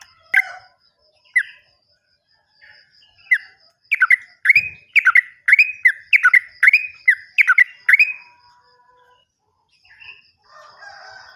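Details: Yellow-vented bulbul song used as a lure to prompt silent or newly caught birds to sing: scattered chirps, then a run of about ten bright, buzzy notes repeated quickly, fading into soft twitters.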